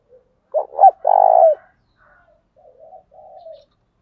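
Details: Spotted dove kept as a decoy bird, thổ đồng voice style, giving its calling coo: a short low note, two quick rising coos, then a long loud hoarse coo, followed by softer trailing murmurs.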